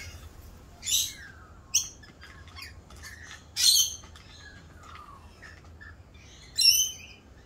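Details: Rainbow lorikeets in mating season; sparse single shrill squawks about every two to three seconds, some with a short falling whistle, in a quiet background.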